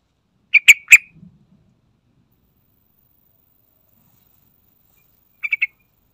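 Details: Sooty-headed bulbul lure recording, played to prompt other birds into singing: a quick group of three bright, chirpy notes near the start, then a short silence and a second matching triplet near the end.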